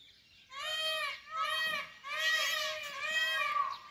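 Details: Indian peafowl calling in the jungle after the rain: four loud, nasal, richly harmonic wailing calls, each under a second, given in quick succession with short pauses, over a quiet background.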